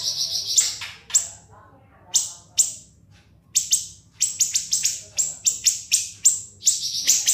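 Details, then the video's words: Siri-siri song recorded to tutor cage birds: an opening trill, widely spaced piercing notes with pauses, then a dense closing series of sharp, jerky high chips. "MASTERAN BURUNG SIRI-SIRI NGEBREN SUPER PEDAS TEMBAKAN TAJAM & SUPER PANJANG"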